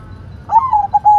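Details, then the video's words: White zebra dove giving a brief cooing phrase, a soft rising note followed by a few clipped, slightly falling coos over a low background hum. "Perkutut Putih Gacor Suara Mantul"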